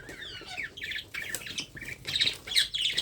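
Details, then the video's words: Young parrot during hand-feeding producing quick repeated raspy chirps and squawks, high and fast, growing louder toward the end. "How to Feed Baby Parrot"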